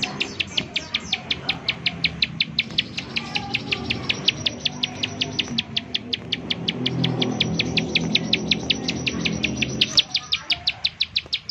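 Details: Bar-winged prinia lure call for triggering other prinias' song: an even, rapid stream of high metallic ticks lasting over eleven seconds, with a low hum and a brief louder noise near the end.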